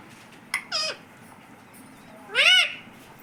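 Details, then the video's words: Pet parrot (tota) saying "Mummy": two harmonic-rich, voice-like calls, a short rising-falling note near the start and a louder arched two-part utterance later, over a quiet indoor background. "Mummy bolne wala tota"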